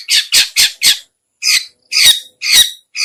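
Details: Lure sound of the long-tailed shrike (cendet/pentet): a burst of four rapid harsh squawks followed by slower, spaced rasping shrieks, all loud and noisy against silence.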